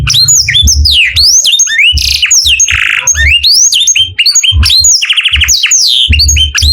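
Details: Canary song in the morning, a dense string of whistled sweeps, a rough buzzy burst and a short rapid trill, with low thumping sounds now and then.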